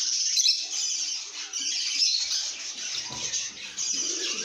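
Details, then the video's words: Happy lovebirds chirping and singing: a steady, high, buzzy chorus of overlapping squeaks and twitters. Faint lower scraping and rustling sounds run underneath. "lovebirds singing & chirping sounds"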